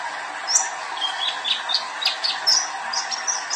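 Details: Young male sunbird, a purple-throated sunbird (kolibri ninja), singing actively: a quick run of thin, high chirps and sharp ticks, about three per second, over a steady background hiss.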